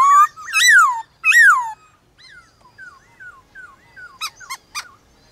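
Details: Morning song duel between a white-cheeked laughingthrush and wild birds of its kind: two loud swooping whistles, then a run of softer arched notes and a few sharp clicking calls.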